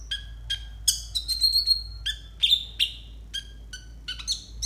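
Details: Konin song used as a tutoring track for young, untrained konin: sharp high chirps and descending whistled notes, some with buzzy overtones, delivered in quick irregular bursts, several in close succession midway, over a low steady hum.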